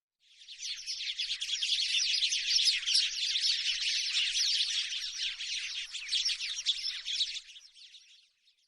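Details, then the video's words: House sparrow chatter: a dense, continuous stream of scratchy chirps running for about seven seconds, swelling in the middle, then tailing off. "تغريد طائر الدوري the sound of the house sparrow"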